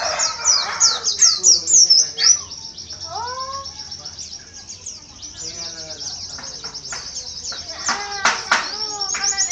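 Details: A kept oriental white-eye sings in the 'tembakan ziper sambung kolibri muncang' style. Fast, very high twittering and rapid trills run almost continuously, broken by sharp descending whistles. Lower overlapping chatter and faint background noise are also present.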